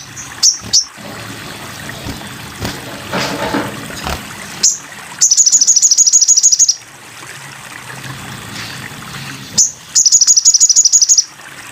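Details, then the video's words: Sogon bird masteran: a few high chirps, a noisy gap, then two long fast trills of shrill ringing notes about two seconds each, separated by a single sharp call. "masteran burung sogon"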